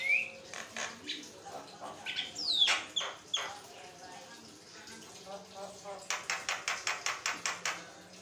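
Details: A Javan myna's nonstop chatter, meant to prompt other mynas to reply: a brief whistle, scattered harsh notes and sharp downslurred squeaks, then a rapid series of about a dozen dry clicks.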